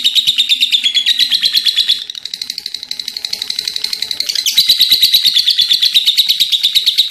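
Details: Lovebird delivering long continuous chattering, a rapid stream of scratchy high pulses that drops softer midway, then swells louder again for the remaining stretch.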